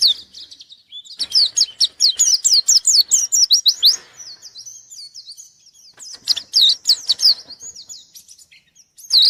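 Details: White-eye singing vigorously while looking for a rival: a long, loud run of fast, high, sweeping chirps, a softer twittering interval, then another strong burst of rapid notes.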